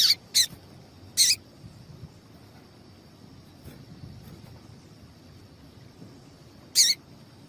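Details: Female double-collared seedeater calling, used to get the male singing. Three quick high, sharp chips come near the start, then a long pause before a fourth chip near the end. The background is quiet.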